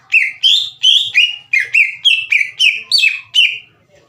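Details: Green leafbird singing to trigger rival birds into answering, roughly ten loud whistled notes in quick succession, each starting high and bending down into a level tone.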